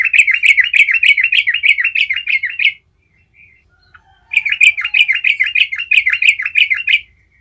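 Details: A lively yellow-vented bulbul sings its rolling song to draw answers from other bulbuls: two long runs of quickly repeated, slurred chirps, each lasting nearly three seconds, separated by a short silence.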